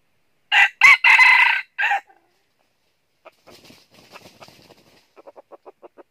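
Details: Red junglefowl used in trapping with decoy birds in northern Vietnam. One complete raspy four-part crow, followed by faint scattered sounds and then a run of soft, evenly spaced clucking pulses.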